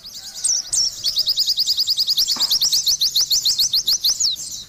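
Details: Oriental white-eye in full song: after two sharp upslurred whistles, a fast, even trill of bright, high, clipped notes runs for about three seconds and ends in a slurred flourish.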